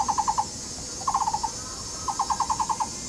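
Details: Taiwan barbet, one of a courting pair duetting while excavating a tree-hole nest, Yixuekeng nature park, Taishan, Taipei County: three quick bursts of hollow, mid-pitched "guo" notes, about ten per second, over a steady high insect-like hiss.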